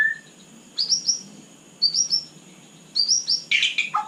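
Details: White-rumped shama singing at night: a steady whistle, then short rising high whistled phrases in bursts, ending in a quick cascade of varied notes dropping lower.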